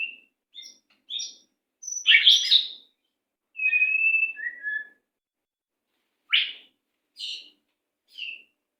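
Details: Captive-training song of a white-rumped shama: scattered short whistles and chips, a loud buzzy burst, then a level sustained whistle and a falling note, followed by sharp isolated upward notes.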